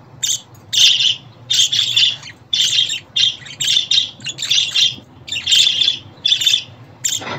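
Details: Pet budgerigar chirps played to please a caged bird: a lively run of harsh, buzzy notes, each burst about half a second, coming roughly once a second, with a low background hum.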